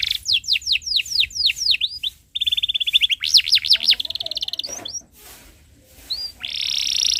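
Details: Canary tutor song in long chirping style for young learners: evenly spaced falling sweeps, a flat rattling trill, looping rise-and-fall notes, a brief silence, then a sustained buzzy roll.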